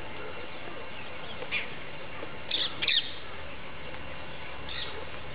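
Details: Black-rumped flameback (Dinopium benghalense) at its nest, Chambal Safari Lodge, India, 8 February 2010, calling: a few short, sharp, high notes, a pair close together midway, over a steady low background rumble.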